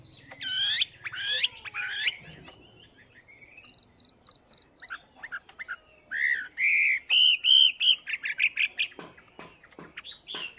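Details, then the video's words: Chinese hwamei kept in a cage for two months, training its voice in the morning, delivering varied loud whistled and slurred phrases, quick runs of repeated notes and sharp chips, over a steady high-pitched whine. "Chim Hoạ Mi Mộc VIP 2 Tháng Lồng Luyện Giọng"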